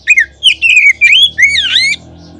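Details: Oriental magpie-robin lure song, meant to prompt other magpie-robins to sing. A short, loud sequence of slurred whistled notes ends in a sweeping V-shaped phrase, with a steady low hum beneath.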